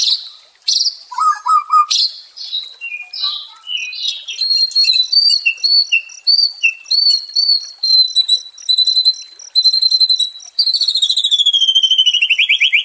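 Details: White-rumped shama song for calming a stressed caged bird: varied opening whistles and slurs, then a steady series of short repeated high notes ending in a fast descending trill.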